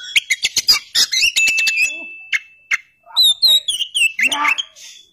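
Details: Oriental magpie-robin singing a varied, loud song: rapid sharp clicks and chattering notes, a long steady pure whistle, then rich warbled, rising and falling phrases ending in a buzzy rasp.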